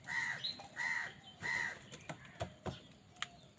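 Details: Crows calling amid a squabble with wild birds over food: three loud harsh caws spaced about 0.7 seconds apart, then scattered sharp clicks and knocks.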